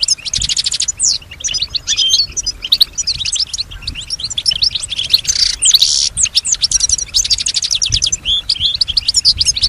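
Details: Pet European goldfinch singing, described as mimicking other birds and human sounds; long lively outpouring of rapid trills, chirps and a harsh buzzy burst near the middle.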